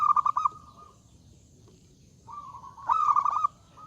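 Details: Loudly singing zebra dove calling rivals to respond, starting mid-phrase with fast staccato coos trailing off, then after a quiet gap a rising lead-in tone swelling into a rich burst of rapid bubbling notes.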